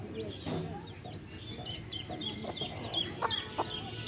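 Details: Hen with baby chicks; high falling peeps repeated steadily, roughly three per second, above soft hen clucks.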